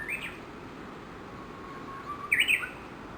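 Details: Japanese bush warbler, one of dozens gathered and apparently feeding at Gakushima Bridge, Yoshinogawa, Tokushima, Japan, around 7:30 in the morning. A soft sustained whistle swells into a loud, quick, bubbling two-part flourish, with a short chirp at the start.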